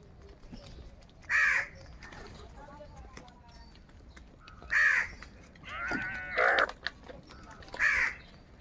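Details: Crows at a morning food squabble give single harsh caws spaced a few seconds apart, one drawn-out and slightly wavering, against a low rustling background.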